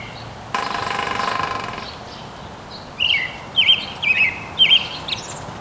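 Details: Rapid metallic roll lasting over a second as a Northern Flicker hammers a metal vent on a roof, done several times as if to attract a mate; sharp, high chirps from another bird follow.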